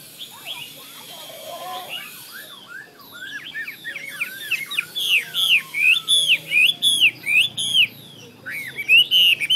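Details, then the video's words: Chinese hwamei starting quietly, then building into a rapid series of loud, ringing whistled slurs repeated several times a second, with a brief pause and a final strong phrase. "Hoa mi xoe 32"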